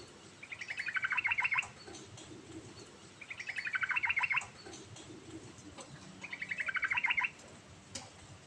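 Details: Sooty-headed bulbul in vigorous rolling song with variations, meant to draw out a bulbul that has gone quiet: three evenly spaced trills roughly every three seconds, each a fast rattle of repeated notes building in loudness.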